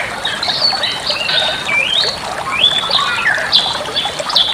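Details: Bali myna song used as a master recording for training other birds: varied whistled phrases, rising slurs and sharp upslurred notes, with chattering between them and a steady watery hiss behind.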